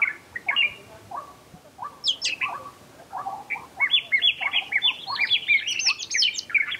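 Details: Oriental magpie-robin song of clear whistles, short slurred phrases and scratchy chirps, alternating low and high notes in an uneven rapid sequence, about three notes a second, ending in dense twittering.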